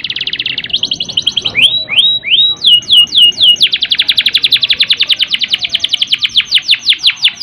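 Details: A canary sings rapid trills, then a few swooping slurred notes, ending in a long, fast roll of high notes at about eight per second. The song is used as a lure for canaries lacking drive and breeding condition.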